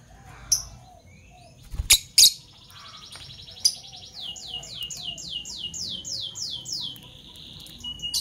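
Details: Fischer's lovebirds, a parblue violet and a parblue turquoise, chirping in the morning: scattered sharp notes, then a run of about nine quick downward-sweeping high chirps, ending in a buzzy trill.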